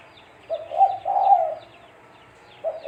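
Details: Spotted dove, called tekukur, cooing as a lure for trapping: one full low phrase of a short coo and a long rolling note, then another starting, over faint high bird chirps.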